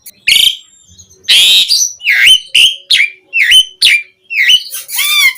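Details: Asian pied starling singing as a lure for other starlings to answer, with harsh rasping bursts alternating with loud whistled notes that dip and rise, repeated about every half second, ending in a burbling rising phrase.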